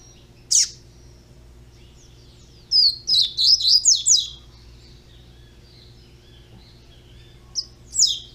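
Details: Young double-collared seedeater giving a single sharp note, then a jumbled run of fast high twittering whistles lasting about two seconds, and later two more isolated chips.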